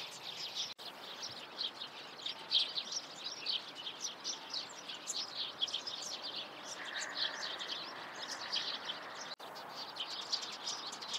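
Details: Eurasian tree sparrows in the morning, a dense continuous chatter of overlapping chirps over steady background noise.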